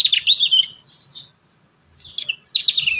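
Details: Prinia song used as training material for young prinias: bright chirping phrases of quick, slurred high notes, a burst at the start, a pause, then two more chirpy runs.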